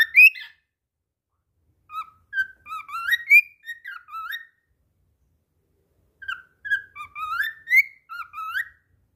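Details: After slipping, a pet cockatiel sings on: two phrases of varied whistled notes, mostly rising and wavering slurs, separated by a silent gap of about two seconds.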